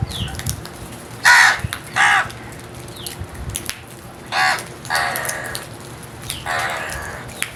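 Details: Crow cawing in an irregular series, a couple of sharp harsh caws followed by softer, drawn-out raspy calls, against faint background chirps.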